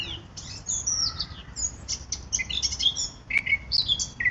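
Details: Eurasian blackcap: a fairly soft, high, jumbled warble of short whistled notes and twitters, ending in a few clearer downslurred whistles.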